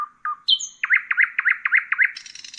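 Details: Common nightingale singing: a few low whistled notes, a thin high pure whistle, then a run of about seven loud repeated chopped notes, ending in a rapid dry buzzing rattle. Clean, quiet background.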